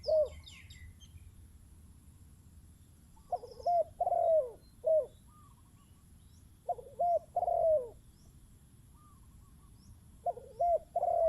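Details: Spotted dove used as a decoy bird, with a wild dove coming in: groups of two to four cooing phrases, each a short burred note and then a longer, clear, falling coo, with long gaps between the groups.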